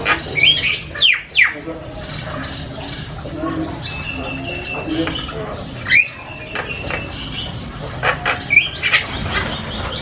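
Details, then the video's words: Javan myna giving a loud, varied medley of harsh grating calls, scratchy bursts and brief whistles in irregular clusters over faint background noise. "SUARA JALAK KEBO NGOCEH KERAS BERBAGAI VARIASI BUNYI"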